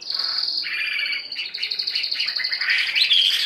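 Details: Caged hwamei, wild-caught and one week in captivity, pouring out dense continuous song, a steady high whistled tone over tumbling chattering and warbled notes that swell louder toward the close.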